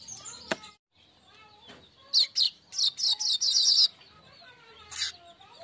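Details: Streaked weaver song used as a lure to stimulate other birds to sing: a short burst of five rapid buzzy high notes, with scattered faint chirps before and after.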